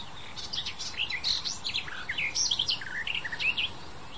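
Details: Garden warbler (Sylvia borin) singing in Landkreis Kitzingen, Lower Franconia, Germany, 28 May 2021: a fast, unbroken warble of mellow, bubbling notes rising and falling without pause, over a faint background hiss.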